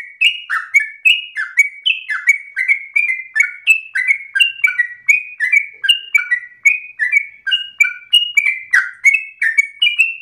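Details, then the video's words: Long-breathed, insistent yellow-vented bulbul song used for other birds to copy, ten seconds of rapid clear whistles, each note stepping or slurring between two pitches, about three per second without a break. "Trucukan gacor ropel ngotot nafas panjang ini cengkok paling gampang ditiru trucuk bahan"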